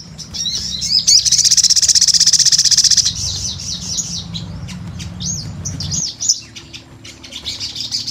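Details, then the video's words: Sunbird used as a lure gives a fast, dense, high buzzing trill lasting about two seconds, followed by rapid thin chirps and twittering notes at about four per second, over a steady low hum. "Pancingan SOGON GACOR"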